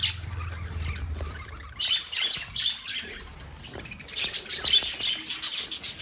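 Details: Lovebird chirping with harsh squawky notes: scattered shrill bursts early, a quieter stretch, then a run of quick, evenly spaced sharp chirps at the end.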